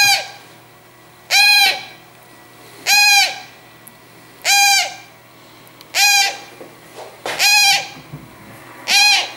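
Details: Hand-reared young Congo grey parrots kept by a breeder give loud, harsh rasping calls, each about half a second long, repeated at a steady pace roughly every one and a half seconds, with quiet room background between.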